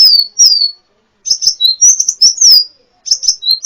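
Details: Loud sunbird song for training songbirds: sharp, high, slurred chirps falling in pitch, delivered in quick clusters with short silent gaps.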